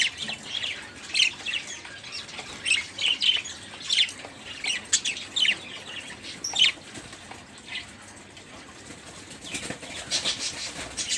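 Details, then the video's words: Caged budgerigars in a group, their chatter used to get other birds singing, give rapid scratchy chirps in uneven bursts, a quieter spell near eight seconds, then renewed calling. "Suara Burung Parkit | Parkit Gacor | Pancingan Suara Burung Parkit agar cepat bunyi"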